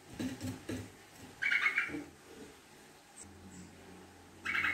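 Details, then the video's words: Sooty-headed bulbul lure song, a rapid, long 'ngekek' chatter. Two short bubbly chattering bursts of fast repeated notes stand apart, mixed with low thumps and background murmur. "Pancingan Trucuk Gacor Ropel Ngekek Panjang"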